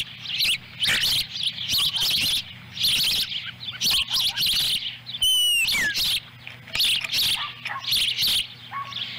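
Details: Osprey nest at Lolo, Montana, July 18, 2017, as young birds feed on a small fish delivered by the female. Repeated shrill chirp bursts continue, with one clear descending whistle midway and a steady low hum throughout.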